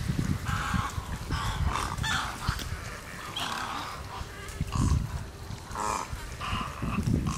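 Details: At breakfast time at a watering hole in J.N. "Ding" Darling National Wildlife Refuge, egrets give harsh, raspy croaks in quick bursts, several every second or two, over a steady low rumble of wind.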